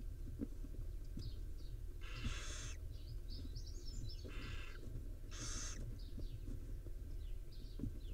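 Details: Wild barn owl mother grooming her five owlets at the nest; several loud, breathy hisses about a second long, with faint high squeaky chirps between them over a steady low rumble.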